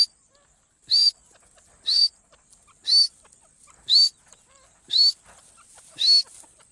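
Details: Partridge, locally teetar, recorded as a hunting lure call: loud, harsh, rasping bursts, each carrying a brief rising whistled note, repeated steadily about once per second, six times, over a quiet background.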